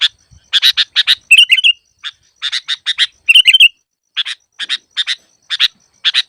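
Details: Lure track of a sooty-headed bulbul for bird trapping: grating two-note chatters in clusters, broken twice by short liquid whistled phrases, roughly one burst every two seconds, with no other sounds.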